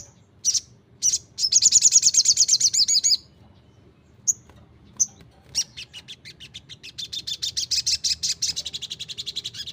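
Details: Energetic crimson sunbird song: a couple of high chips lead into a long, fast twittering trill, scattered single notes, then a steadily accelerating series of dry, ticking high notes.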